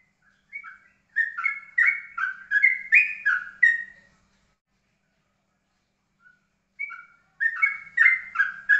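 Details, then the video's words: Ropelan-style song of a yellow-vented bulbul, steady and calm: two bursts of quick bubbly whistled phrases, about eight notes in the first, separated by a silent pause of nearly three seconds before the second begins. "Trucukan Ropelan pasti dan kalem"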